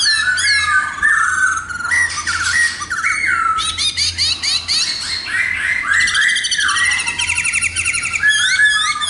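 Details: Khướu mun laughingthrush in full, top-quality song: a long varied run of loud whistled phrases, rising and falling slurs and rapid buzzy trilled bursts, with almost no pause between phrases and a faint low hum underneath.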